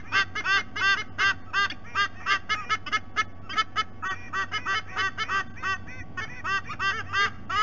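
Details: White-bellied sea eagle adults vocalizing at the nest, Sydney Olympic Park, Australia, via nest camera: a long run of hoarse, nasal honks, each note slightly arched in pitch, grouped in rapid pairs and triplets, with a faint background hum.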